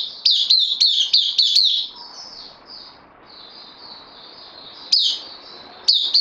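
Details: Caged bulbul on loan pours out a quick string of ringing down-slurred notes, then goes quiet with softer distant chirps before single sharp notes return.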